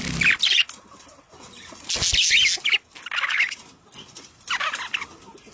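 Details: Budgerigars chattering in a mating call meant to prompt breeding, three or four loud scratchy bursts of warble with softer murmuring between them.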